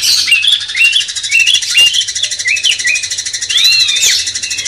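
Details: A cucak cungkok bulbul master song to stir a magpie-robin, a string of quick looping whistled notes ending in an arched phrase, against a constant pulsing background chorus.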